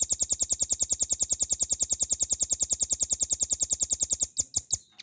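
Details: Velvet-fronted nuthatch singing for training cage songbirds: over four seconds of a dense, regular, shrill trill of rapid notes, closing with three louder separate chips.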